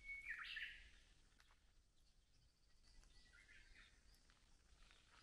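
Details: Japanese bush warbler in misty mid-April Gotjawal forest at Gyorae Natural Recreation Forest, Jeju, after light rain, gives a bright whistled phrase ending in a quick warbled flourish; softer, higher notes follow over steady outdoor background noise.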